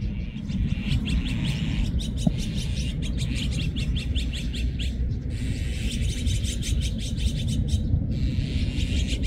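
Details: Azure-winged magpie flock calling loudly, with near-continuous rapid harsh chirps in several bursts and brief breaks between them, plus a steady low hum.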